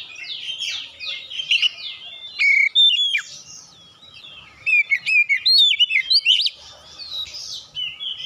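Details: Oriental magpie-robin singing as a lure to prompt other birds: dense, varied chattering and whistled notes, with rapid sharp chirps and upward sweeps in busy bursts.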